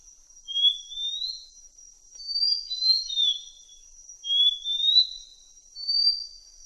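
Malaysian blue flycatcher singing sweet, high whistled phrases that slide upward, about one every one to two seconds, over a steady thin whine.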